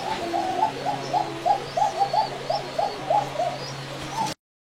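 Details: Koka pigeons calling in their loft in the late afternoon, near evening, cooing in soft, rolling notes that overlap from several birds, over a steady fan hum.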